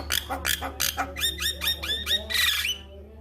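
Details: Male Javan myna singing as a master recording for other mynas: a string of rapid rising chirped notes, harsh at first, ending in a shrill burst, with a steady low hum behind.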